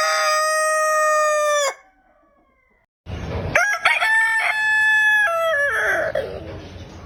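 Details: Rooster crowing from a backyard flock, with a harmonic-rich sustained note ending abruptly, a pause, then a second crow of stuttering notes rising into a long held tone that fades out.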